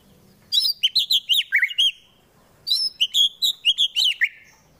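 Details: Caged White-rumped shama from Wonosobo, Central Java, Indonesia, delivering fighting song to provoke rivals: two loud phrases of quick, high, rising-and-falling whistled notes, about eight notes each, separated by a short pause.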